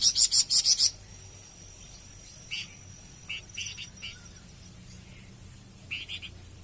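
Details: Flamboyan bird singing for masteran and pancingan use: an opening burst of rapid buzzy pulses, then scattered short soft chirps and a thin sustained high tone.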